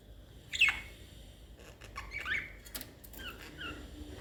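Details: Budgerigars playing: one gives short, sharp chirps with quick downward sweeps, plus softer warbled notes.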